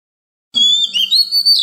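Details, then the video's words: Wild-voice song of an Oriental magpie-robin, used for tutoring young birds and prompting newly caught ones to sing; clear sustained high whistles that rise and bend, with a brief lower warble in between. "Luyện giọng chim non kích chim bổi hót mỗi ngày với giọng rừng cực chuẩn | Kích Choè Than Hót"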